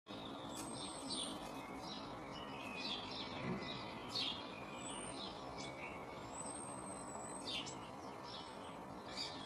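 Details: Eurasian blue tit pair checking out a nest box on a garden shed in early spring; short high chirps and descending sweeps scattered through, over steady broadband background hum.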